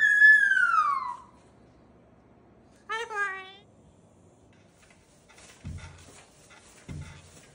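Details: Pet cockatoo indoors giving a greeting call: one loud, harsh, descending screech lasting about a second, then a shorter wavering call. Soft low thumps and quiet room sounds follow.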